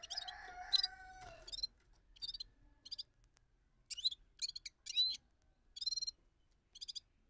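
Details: Bulbul known locally as gulsar delivering rolling song: a run of short, rich, chirpy bursts repeated about twice a second, opening over a steadier lower tonal hum that fades after the first second.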